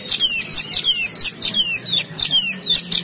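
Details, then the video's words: Oriental magpie-robin in a gacor singing bout, Pemalang: fast run of high, sweeping whistled notes, steeply rising and falling, repeated several times a second with short gaps, over a faint low hum. "KACER GACOR"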